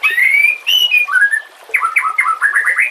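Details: White-rumped shama phrase from a tutor recording with nature and water sounds; long clear rising whistles, then a rhythmic string of short bouncing slurred notes.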